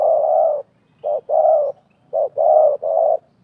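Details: Decoy and wild spotted doves dueling vocally during 2024 dove trapping; loud, steady hollow coos, a long note followed by paired short and long notes, over a faint low background hum.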